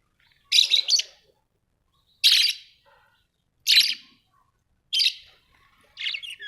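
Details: Australian budgie parrots chirping: five short bright bursts of scratchy, buzzy chatter spaced about one to one and a half seconds apart, with quiet gaps between.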